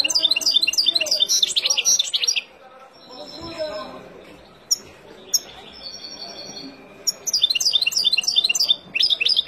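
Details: European goldfinch in the wild, singing to teach fledglings; bursts of fast, high, jangling twitters, a pause with a few sharp chirps, then another rapid twittering phrase, a faint voice in the background.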